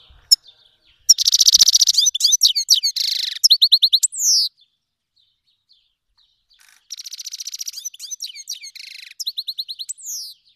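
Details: Song of an Iranian black-headed Himalayan goldfinch cross, meant for training young birds: two long bursts of buzzy trills, twittering chirps and sweeping whistled notes, separated by a few seconds of silence.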